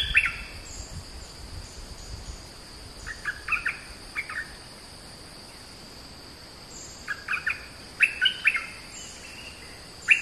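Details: Oriental magpie-robin singing in scattered bursts of short whistled notes, several phrases spaced by quiet gaps of a few seconds, against a steady faint hiss and low background noise.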